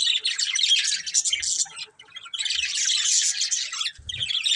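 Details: Budgerigars, a breeding pair, chirping in two dense bursts of fast, bright twittering separated by a short pause, with faint low thumps.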